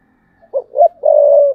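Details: Decoy spotted dove cooing in the thúc bổi style: two quick husky notes followed by a long, steady, low coo, all on a clean quiet background.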